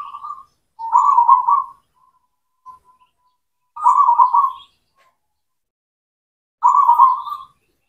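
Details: Cemani zebra dove of local breed in energetic song, meant to coax silent doves into singing: three strong vibrating coo phrases roughly every three seconds, with brief soft notes between.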